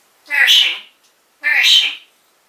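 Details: African grey parrot in a cage, 2012, calling out a person's name: two loud, harsh, speech-like calls about a second apart.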